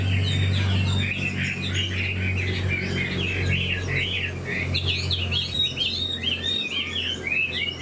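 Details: Chinese hwamei, an old bird caught in the wild and now caged, sings a fast tumbling series of whistled phrases against a loud, constant low droning hum.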